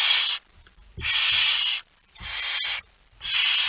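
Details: Barn owl with a mouse, recorded 17 September 2019 at 01:49: four long, harsh, breathy hisses, each about half a second to a second, separated by short silences, with faint low thumps between them.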